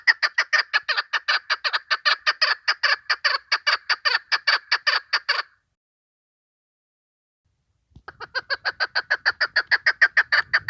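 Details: Female chukar partridge calling, a sound used as a hunting lure: a long rapid series of sharp clucking chuck notes for about five seconds, a pause of over two seconds, then another quick clucking series.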